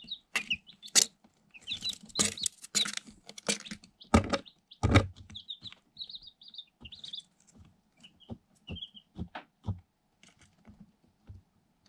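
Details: Eight day-old Light Sussex chicks, incubator-hatched, inside a cardboard box, pecking at a hole and a camera: scattered short, high, thin peeps among loud, dry tapping and knocking from pecks against cardboard and the camera, with a faint low hum.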